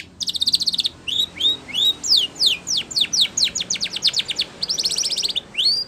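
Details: Spanish Timbrado canary singing a training song: a fast rattling trill opens, followed by rising whistles and a long series of rapid descending slurred notes, ending in another dense trill and an upward whistle.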